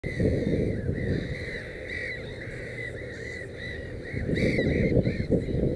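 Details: Black-headed gull at a nest with three chicks, filmed undisturbed for breeding study: harsh, nasal arched calls repeated rapidly in close series, several overlapping, over a steady low rumble of wind or handling noise.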